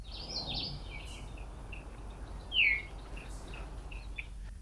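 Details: A Veery in Maine gives its loud, high, downslurred 'veer' call note, the source of its name, often given to defend territory; over a steady hiss with faint, scattered notes from other birds.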